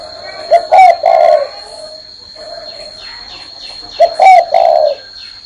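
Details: Spotted dove cooing from a hand perch: two low, mellow three-note phrases roughly three seconds apart, soft chirps between them and a persistent high electronic tone.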